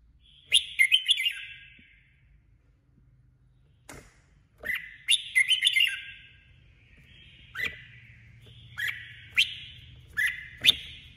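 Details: Female red-whiskered bulbul used as a trapping decoy, singing competitively: short bright warbled phrases with sharp high notes, about six bursts spread over eleven seconds, separated by brief pauses, with a faint low hum beneath.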